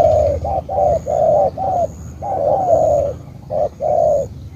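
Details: Spotted dove from Cà Mau, Vietnam. Soft, low coos come in short clusters, a long mellow note stretching across the middle, with a faint high hum in the background.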